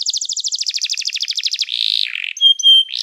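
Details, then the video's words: Canary singing as song training: fast repeated downslurred notes, then a buzzy trill, a short rasping segment and clear high whistles rising in pitch. "O som do canário cantando é muito gostoso! melhor treinamento para canario"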